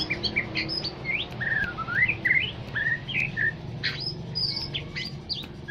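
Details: Aceh white-rumped shama, described as rare in Indonesia, singing as a lure to provoke other birds: quick run of clear whistled notes, many rising or sweeping, mixed with sharp chips, over a steady low rumble.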